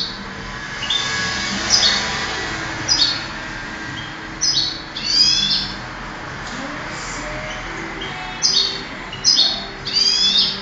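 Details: A 2008 contest goldfinch delivers separate short bursts of high, sweeping twitters roughly every second or two, with quiet gaps and a low steady hum behind.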